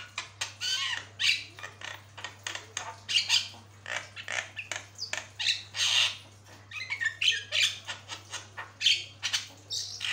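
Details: Javan myna (jalak kebo) singing vigorously in a long tutor recording: dense run of harsh, squawky, scratchy notes and short whistles, fast and irregular, with a steady low electrical hum underneath.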